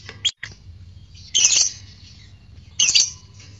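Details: Lovebird recording for provoking arousal and song: a brief high chip, then two drawn-out harsh, screechy squawks spaced about a second and a half apart, with a low droning hum throughout.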